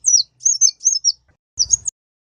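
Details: {'caption': 'High, thin olive-backed sunbird song from a recording for training other songbirds: a few quick downslurred whistled notes, a pause, then one short twittering burst with faint low rumble.'}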